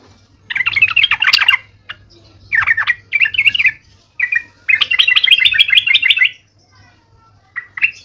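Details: Sooty-headed bulbul used as a lure bird gives repeated bursts of fast bubbling, chattering notes separated by short silences, in a quiet setting.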